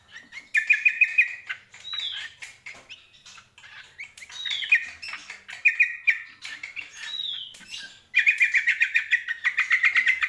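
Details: Greater green leafbird, cucak kombo, in varied song: fast buzzy trills around a steady pitch alternate with sharp downslurred whistles, phrases repeating over ten seconds and ending in a long rapid trill.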